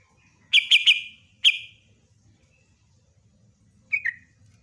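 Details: Yellow-vented bulbul singing: a quick burst of three bubbly notes, a single similar note, then after a pause a short falling liquid phrase, over a quiet low hum.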